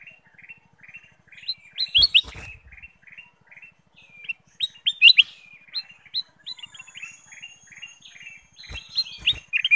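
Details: A ruby-throated bulbul (Rubigula dispar) sings fast, bright chirping phrases of short notes repeated in quick runs, with sharper upslurred whistles and a few dull knocks; used as a lure to provoke other birds into singing.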